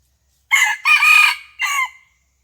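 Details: Red junglefowl crowing during a decoy fighting contest, recorded in the morning on 27 January 2021: a loud three-part crow, two strong bursts then a shorter falling final note.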